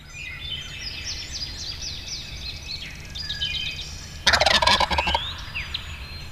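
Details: A wild turkey tom in spring, just flown down within range of hunters near a hen and drumming, lets out one loud, rapid, rattling gobble lasting about a second, after high chirping and whistling songbirds over a low rumble.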